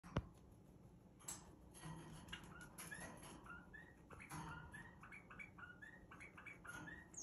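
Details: Iraqi bulbul playing, giving quick short chirps in a loose series, some sliding upward, growing busier after a few seconds over a steady low background hum.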